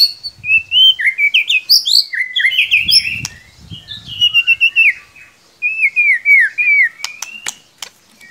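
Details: Song of a white-rumped shama used to prompt a quiet bird to start singing: rapid series of bright whistled notes stepping up and down, fluty phrases repeated several times, then sharp clicks.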